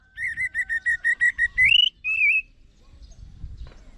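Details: Orange-headed thrush (anis merah) song. A steady series of about ten mid-pitched whistled notes speeds up and rises, followed by a wavering slurred whistle. Soft low background rumble afterwards.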